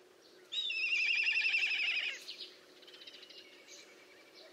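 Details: Black kite (Milvus migrans) gives a high, quavering whinny of about a second and a half trailing into softer stuttered notes, recorded 4 September 2022, with Eurasian golden oriole, common nightingale and house sparrow audible in the background.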